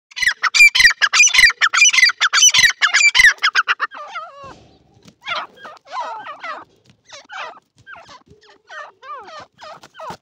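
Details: Irani teetar, a francolin, giving a loud harsh burst of rapid repeated squawking notes for about four seconds, then softer scattered chattering and wavering notes with short pauses.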